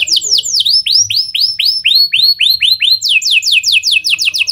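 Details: Singing canary using lovebird and prinia style phrasing as a lure for other canaries: descending sweeps, then a steady series of upward-hooked whistles, then fast falling notes again, loud throughout.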